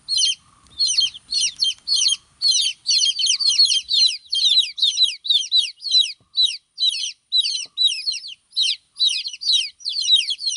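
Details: Chicks of a chicken calling out in the mother's absence: insistent high peeps falling in pitch, repeated in rapid, slightly uneven bursts for the whole stretch, several chicks overlapping, with faint low thumps early on.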